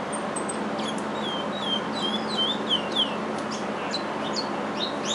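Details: Captive chestnut-bellied seed finch, bred in an aviary, performing its father's regional Curitiba song: quieter, spaced sharp down-slurred whistled notes over steady room noise.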